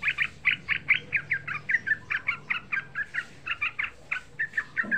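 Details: Young yellow-vented bulbul used as a lure to provoke other bulbuls into calling, in a fast, lively run of bubbly, chirping notes, about two to three per second, mid-pitched and slightly uneven in rhythm.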